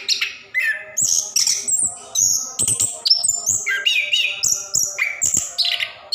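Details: Orange-headed thrush of the plontang type pouring out ngerol song as a lure for birds reluctant to sing; shrill high whistles and harsh squeaky phrases follow each other quickly, some notes dropping sharply.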